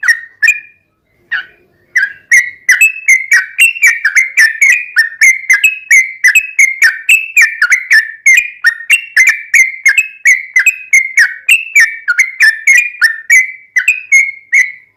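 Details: Yellow-vented bulbul in 'ropelan' style with 'ngelituk' and straw-headed-bulbul-style phrases, played to train and draw out kept birds. A few opening notes, a short gap, then a long unbroken run of quick, bright, slurred notes.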